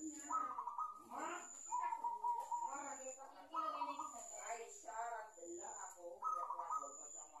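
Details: Captive young zebra dove, caught with a decoy bird, practising its coo; repeated short bubbly, rolling coo phrases about every one to two seconds over a constant thin high whine.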